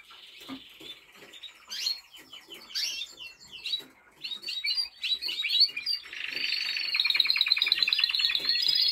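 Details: Timbrado Español canary in training, 2023: varied canary song with a buzzy tour at the start, quick rising chirps, then a long rapid trill of repeated notes building louder toward the end.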